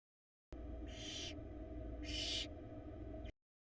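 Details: A nestling barn owl in a Florida nest box, struggling to swallow an oversized rat, gives two rasping hiss-screeches roughly a second apart against a constant low camera hum.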